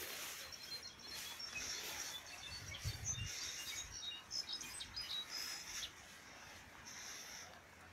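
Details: Mexican goldfinch during capture: rapid, high, thin chirps and twittering notes in irregular bursts, with steady outdoor background noise and a few low thumps.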